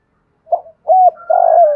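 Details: Spotted dove calling coo of the 'thổ pha đồng' voice type, played to prompt other doves to coo: a short opening note, an arched hooting note, then a long level buzzy coo, cut off mid-phrase.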